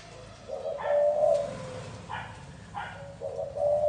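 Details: Gáy gù style song of a spotted dove: two mellow low cooing phrases of rolled notes with a longer hoot, separated by brief louder knocks or rustles.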